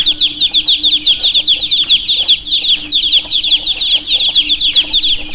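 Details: Constant shrill peeping from many baby chicks: rapid downward-slurred chirps packed closely together with barely a pause, and a low steady hum in the background.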